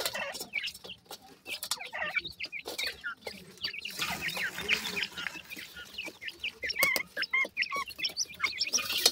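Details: Group of francolin chicks, called teetar, uttering clear, high, upslurred peeps in uneven runs, some louder whistled notes standing out near the end, with soft pecking and tapping sounds.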